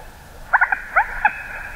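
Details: Common moorhen giving a short series of five abrupt, clipped 'kek' notes in quick succession, the first three bunched together and two more spaced out, against a steady faint background hiss.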